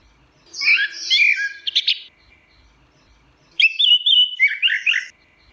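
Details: Teler song of an Orange-headed thrush: a chattering, layered warble with a quick buzzy ending, then after a pause a sweet whistled run that tumbles downward in rippling notes.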